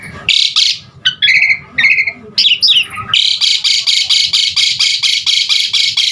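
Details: Asian pied starling singing, recorded to prompt and tutor caged starlings: a loud rasp, chattering trilled phrases and a high tinkling note, then a long even series of harsh buzzy notes about four per second.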